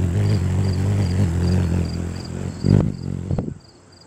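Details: Ruby-throated hummingbird hovering at nectar, heard very close from above: its wings, beating 50 to perhaps 200 times a second, give a steady, low buzzing hum, with a faint high insect chirping behind and two soft thumps near the end.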